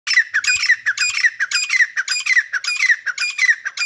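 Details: Grey francolin pair calling: harsh, squawky, rapidly repeated notes, about two per second, each with a sharp downward slur, in a continuous rhythmic chorus.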